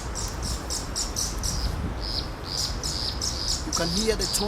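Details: Tawny-flanked Prinia perched close in marshes by a flooded Nairobi river at the start of the rainy season gives its loud call, a rapid series of high, thin chipping notes about four a second, with a man speaking near the end.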